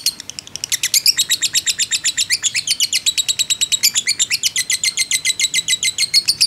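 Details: Fighter lovebird's extended ngekek, used as a lure to provoke other lovebirds: it starts softer, then swells into a rapid, loud train of scratchy chirps, about four per second, with slightly falling tones.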